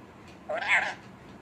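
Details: A talking pet Indian parrot, kept in a cage and speaking Punjabi and Hindi words, utters one short, nasal, speech-like syllable that rises then falls, under half a second long, against a quiet indoor background.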